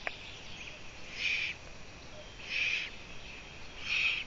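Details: A Eurasian eagle-owl on a live nest camera on 14 June 2017 at 04:49 gives harsh, hissing rasps, each under half a second, repeated roughly every one and a half seconds over a faint steady hiss.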